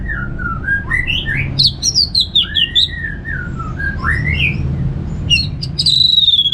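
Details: Orange-headed thrush singing ngeplong style: flowing slurred whistles rising and falling in a long varied phrase, bright chirps in between, ending in a sustained high whistle, with constant low hum.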